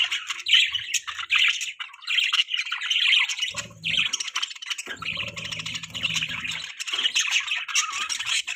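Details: Morning budgerigar parents feeding their chick: lively, overlapping chirps and squawky chatter that runs on, with a low humming noise in between for a few seconds.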